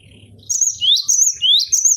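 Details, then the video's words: Cinereous tit singing in a cage as a training tutor for other songbirds: a short burst of high twittering, then two clear upward-sweeping whistles, each finishing in a thin high flourish. "MASTERAN GELATIK BATU BONGKAR ISIAN"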